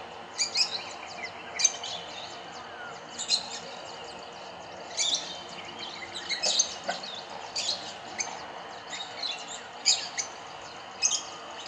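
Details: A gregarious group of Rosy-faced Lovebirds feeding on berries in trees in Kyalami, Midrand, Johannesburg, suspected to descend from aviary escapees. They give shrill, high, scratchy chirps in short bursts about once a second over a soft hiss.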